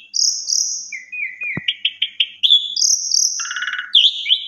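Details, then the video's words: Melodious, lilting song of an Asian pied starling, used to coax a silent bird into singing: high sustained whistles, falling slurred notes, a quick run of short chirps and a grating rattle, ending in upslurred whistles. "Suara Jalak Suren BERDAYU DAYU Seketika Langsung Respon Jalak Suren Macet Berkicau"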